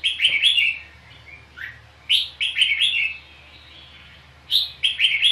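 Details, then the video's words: Red-whiskered bulbul, a lure bird singing during a fight: clusters of fast, rich, slurred whistles in phrases about every two seconds, with a falling note in between. "chào mào cực đẹp hót cực hay đánh nhau cực khủng"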